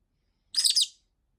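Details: Frustrated pet Fischer's lovebird, left unplayed with for over a week, calling persistently for more than two minutes: one harsh, high, scratchy chirp lasting under half a second, triple-pulsed, then silence.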